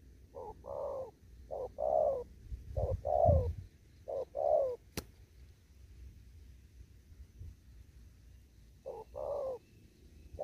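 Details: Spotted dove in an upland field delivering 'thúc gù' cooing. Four quick pairs of short and longer hollow coos, then a sharp click and several seconds of quiet before one more pair, with low rumbling throughout.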